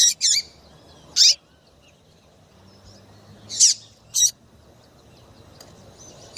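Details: Chirping female double-collared seedeater, kept to excite males into song, giving about six sharp high chirps, mostly in close pairs, separated by pauses of over two seconds.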